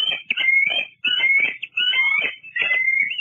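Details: Juvenile bald eagle exploring the ground around its nest at Fraser Point, filmed by live cam on 2 July 2022; a run of high, squeaky, chattering calls with rising whistled slurs, in bursts about once a second, clear and close.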